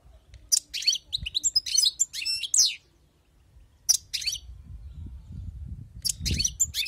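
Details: Wild-caught European goldfinch delivering a fast series of twittering, buzzy notes for about two and a half seconds, then silence, then brief twitter bursts over rising low background rumble.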